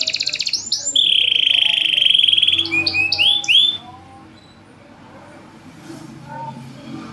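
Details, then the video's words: Caged champion canary with a loud voice, singing to lure reluctant birds: a fast trill, a long sustained buzzy note, then quick rising whistled notes before quieter background murmur. "PANCINGAN KENARI MACET || JEDA RAPET || SUARA LANTANG || SUARA ASLI KENARI JUARA."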